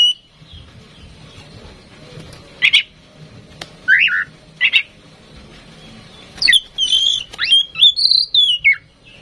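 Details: Tame female oriental magpie-robin, singing freely and used to prompt other magpie-robins to sing; mostly quiet at first with scattered short notes, then a burst of clear whistled and slurred phrases toward the end.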